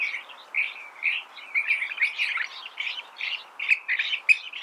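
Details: California thrasher singing an almost unbroken chatter of harsh, scratchy notes that rise and fall in short bursts.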